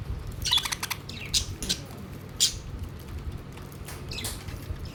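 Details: Domestic budgies crowd around the food plate. Scattered short, shrill chirps and a few warbled notes rise and fall irregularly against faint background noise.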